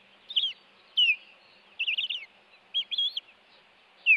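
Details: Osprey alarm at the Hellgate nest, 26 April 2018, while the male brings a fish and guards the female against an intruder: bursts of shrill, wavering whistled chirps in groups, each burst followed by a short pause.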